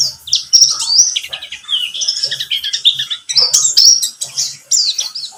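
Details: Pleci (white-eye) of the buxtomi type, played as a lure to prompt singing: a busy, high-pitched chattering warble of squeaky chirps and slurred notes, tumbling along almost without pause.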